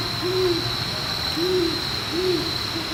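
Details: Great horned owl in Forest Park, St Louis, hooting to declare and defend its pair's territory: three deep, soft, even hoots about 0.9 seconds apart over a constant high insect drone.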